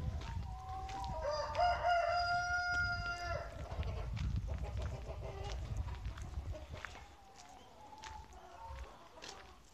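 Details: Chicken on a farm crowing: a long harmonic call rising, then held steady for about two and a half seconds, followed by softer clucking, low rumbling background noise and scattered knocks.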